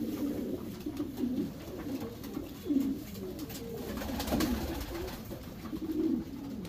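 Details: Low bubbling coos of Racing Homer pigeons kept in a breeding section, irregular phrases across the recording with scattered clicks and a thud.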